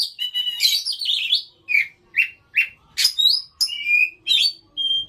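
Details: Lure song of an Oriental magpie-robin, meant to set other magpie-robins singing: fast jumbled chatter opening into short repeated whistled notes about twice a second, then buzzy rasps and a long steady whistle.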